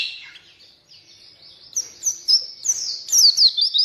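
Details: Oriental white-eye song used to coax reluctant white-eyes into singing: soft rambling warble rising into a louder run of high, quick, sweeping twitters.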